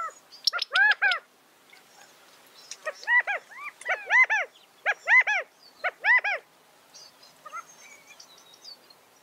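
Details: California quail calling in bursts: a tight cluster of arched harmonic notes at the start, then evenly spaced loud curved calls about once a second, ending in softer high chirps.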